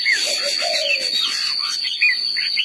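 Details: Red-whiskered bulbul singing: short bright rising and falling warbled notes, with a lower drawn-out mellow whistle near the start, over a constant high-pitched whine that runs through the whole recording.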